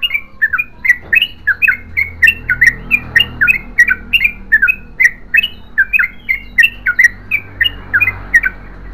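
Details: Yellow-vented bulbul in long continuous song, a steady unbroken run of short, squawky, bubbling notes about three per second throughout, over a low rumbling background hum.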